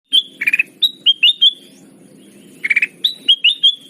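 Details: Sooty-headed bulbul lure call for trapping birds: clear whistled notes that slide down, mixed with short rattling bursts of four quick notes, in two groups separated by a pause, over a low background hum.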